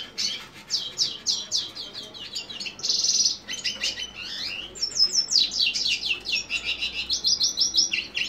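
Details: Close, loud lesser goldfinch of subspecies jouji pouring out quick descending chirps, a harsh buzzy note, rising slurs and steady trilled phrases in an unbroken, energetic stream.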